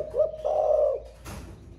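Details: Caged spotted dove with a thổ pha voice, newly started cooing all day long: a short coo, then a sustained low rolling coo, ending before a loud clack.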